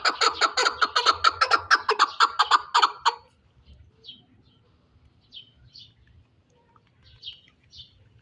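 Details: Chukar partridge from the Pamirs ending a rapid rhythmic run of repeated clucking notes, then falling silent, with only faint distant chirps afterwards.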